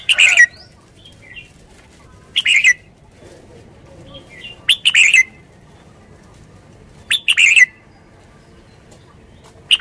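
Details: Short, loud warbled phrases from a Red-whiskered bulbul, repeated roughly every two to three seconds, some doubled, over quiet background hiss with faint soft chirps.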